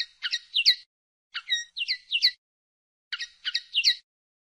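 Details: Pardillo, the common linnet, giving three short separate bursts of sharp chirping notes, each burst under a second long with pauses between, clean and without background.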